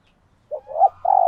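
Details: Spotted dove, a female in laying condition, cooing to stimulate males: a short low note, a louder rising coo, then a longer steady pulsed coo, all fairly low-pitched and clean.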